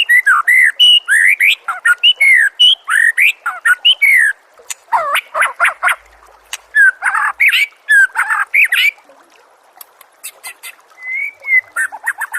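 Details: Murai song on a masteran track for contest birds: powerful melodious whistles and harsh chattering notes in continuous phrases, with brief pauses and softer scattered chips toward the end.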